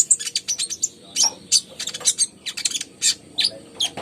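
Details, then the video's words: Konin (ruby-cheeked sunbird) singing vigorously: a dense, fast chatter of very high, thin chirps and tsips in clustered bursts, with slightly louder accented notes every half second or so. "PANCINGAN KONIN GACOR"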